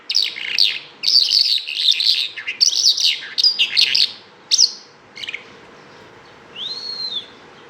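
A Bimaculated Lark sings in rapid bursts of chirping, trilled notes, high and tumbling, ending with a single clear whistled note that rises and falls.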